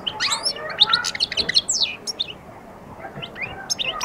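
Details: European goldfinch at the start of its song and attack: a dense, fast twittering of sharp, high notes and slurred chirps that eases off midway, then resumes briefly.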